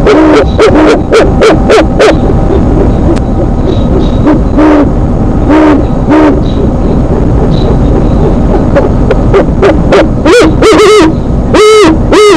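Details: Evening exchange between a bird and its mate above their nest, April 4, 2017, 8:35 PM. Bursts of quick, wavering harmonic calls open the recording, then a quieter stretch with few calls, then a renewed loud, rapid flurry at the end.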